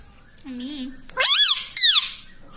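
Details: A low, steady voice-like tone is followed by two bright, arching squeaky syllables from a talking pet green ringneck parrot.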